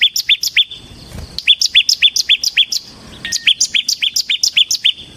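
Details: Bar-winged prinia of the ciblek semi kind singing in 'ngebren' style: two runs of bright, high, bouncy chirps repeated about four times a second, separated by a brief pause.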